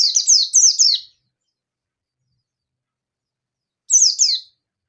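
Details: Challenging a rival, an Oriental white-eye, local yellow-breasted form, gives fast ngalas nembak song: a quick string of sharp, descending twitters, a long silence, then a shorter two-note burst.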